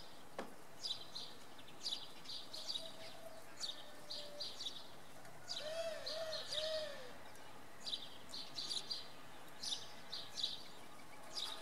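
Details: Common redpoll calling in fog one evening at Oksywie, Poland: high chirps in irregular clusters throughout, while a lower, soft whistled phrase from another bird sounds midway, over low background noise.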